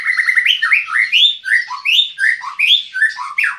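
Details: White-rumped shama singing loudly and continuously, a rapid run of varied whistled and warbled phrases sweeping up and down, each note bright and clear with no other sounds behind it.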